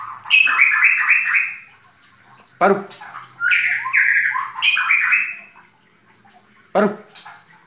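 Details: White-rumped shama singing in the 'full tembakan' style: dense, harsh, buzzy warbled phrases at mid-high pitch in two long bursts, with sharp cracking notes near 2.6 and 6.8 seconds and brief pauses between phrases.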